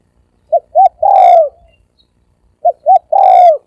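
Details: Rapid cooing of a spotted dove, thổ ồm and thổ vang style: two brief clipped notes lead into a long, rich, slightly descending coo, and the phrase is given twice.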